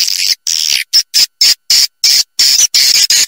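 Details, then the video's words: Swiftlet lure call to attract birds to settle and nest: a series of short high, thin chirping bursts, roughly eight separate pulses with clean silent gaps, fairly even in spacing. "Suara Panggil Burung Walet"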